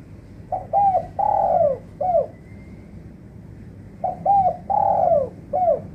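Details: Trapping lure call of a spotted dove, meant for doves that have gone quiet: the rhythmic phrase of quick double coo, long sliding coo and short end note repeats twice, with faint low background rumble.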